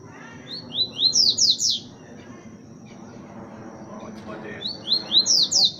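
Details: Coleiro (double-collared seedeater) singing the 'boca suja' song style: two bursts of quick, rising, slurred whistled notes climbing higher, each phrase about one second long, with a steady high whine and low background noise between them.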